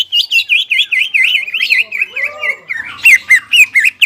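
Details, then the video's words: Greater green leafbird singing busily with its crest raised: a fast run of repeated V-shaped whistled notes, about four per second, shifting into sharper, higher looping phrases near the end. "CUCAK IJO GACOR JAMBUL NGENTROK PALING AMPUH MENAIKAN EMOSI CUCAK IJO STRES DAN MACET"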